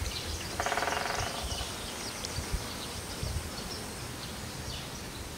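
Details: A European turtle dove, a very shy native of sunny lowland farmland rich in meadows, shrubs, trees and water, more often heard than seen, gives one brief, rapidly pulsed purring phrase lasting about a second over steady rushing background noise.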